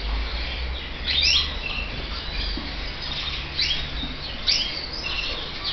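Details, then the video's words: Three clear bursts of high, quick rising chirps from red mosaic canary chicks, spaced a second or more apart, with faint peeps between them and low hum underneath. "FILHOTES DE CANÁRIO VERMELHO MOSAICO"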